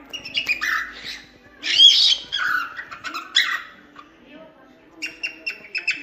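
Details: Singing cockatiel for teaching song to cockatiels: uneven chatter of warbled, scratchy notes with one loud squeaky burst, ending in a quick series of clipped chirps.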